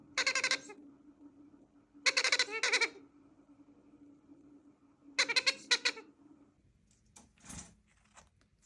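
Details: Baby Bronze-winged Pionus parrot begging: harsh, rasping, pulsed calls in bursts of about half a second, three bouts spaced a few seconds apart, over a steady low hum, with a short clatter near the end.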